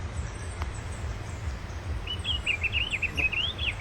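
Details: Fawn-breasted tanager singing in nature: a quick run of high, thin notes that rise and fall, beginning partway through and continuing to the end, over a steady low rumble.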